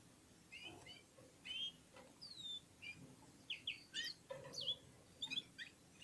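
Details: Red-fronted serins (Serinus pusillus) of Central Asia singing in unison with other birds: busy bursts of high chirps, slurred whistles and quick rattling notes, increasingly dense toward the end.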